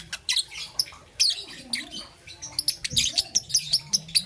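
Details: Young green and yellow peach-faced lovebird chirping in the morning: sharp, high, scratchy chirps in uneven bursts, some rising and falling, with a faint low hum underneath.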